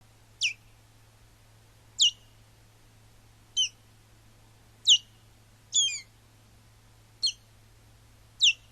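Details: Wintering male osprey at Urdaibai, Spain, calling as he detects the arrival of a ringed female and goes to find her, heard on a live nest stream: sharp, high, downward-slurred whistled yelps, one every second or so, over a low steady hum.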